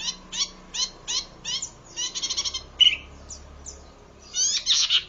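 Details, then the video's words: Zitting cisticola giving sharp, high, rasping 'zit' notes about twice a second, then a quicker run of clicks and a brief clear whistle, used as a lure and training recording. "masteran burung cici padi"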